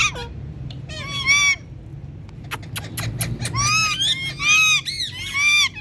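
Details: Indian ringneck parakeet talking: bursts of harsh, harmonic-rich squawks and chatter separated by pauses, with a cluster of sharp clicks midway, then dense speech-like phrases in quick succession.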